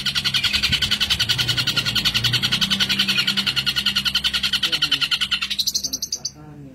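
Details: Cendet, or long-tailed shrike, in a 'tembakan' song for training songbirds: a rapid, even, harsh buzzing trill pulsing about three times a second, breaking off near the end into a brief rising sweep.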